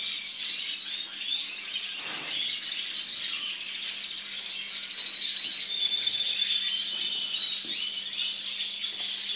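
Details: White goldfinch singing a continuous, rapid, high twittering warble of tinkling notes and short trills with no pauses, over a faint steady low hum.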